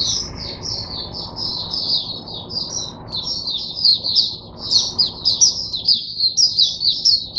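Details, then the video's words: Oriental white-eye teacher bird in captivity, 22 January 2022, delivering a long high song of thin slurred twitters, steady at first, then breaking into faster, louder pulsed chirps. "Mata Puteh Diva Sunday buka sing teacher bird for my other mata putehs"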